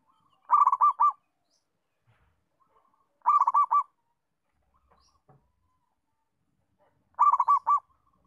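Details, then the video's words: Zebra dove of a local Indonesian type, recorded as a singing model for training other doves: three quick phrases of bubbly, stuttering coo notes, each under a second long, repeating roughly every three seconds in near silence. "Perkutut Lokal Mapan, bagus untuk melatih perkutut belajar bunyi"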